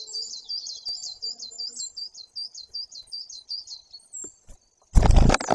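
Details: Great tit recorded on 2 September 2022 in Bory Tucholskie, Poland, by a nest camera: a steady run of high, rapid, looping notes, followed by a loud rustling burst near the end.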